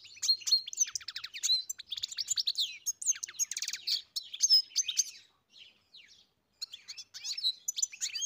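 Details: European goldfinch on a farm giving a lively twittering song of quick chirps and rattling trills, pausing briefly near the middle before resuming.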